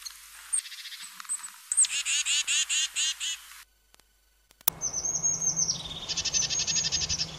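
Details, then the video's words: European crested tit repeating a churring, buzzy trill of high notes, a short silence, then a further trill set against a fainter low background hum. "chant de la mésange huppée"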